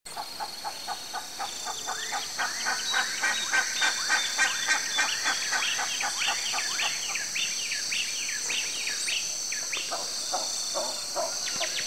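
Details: Wild fork-tailed flycatcher (Tyrannus savana) in Brazil giving rapid, sharp ticking chips, about three or four per second, over a steady high insect drone.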